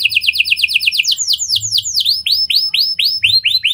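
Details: Canary in a lovebird- and prinia-style song, played to prompt other canaries into long singing, runs a rapid trill of falling notes that slows into broader, louder downward sweeps.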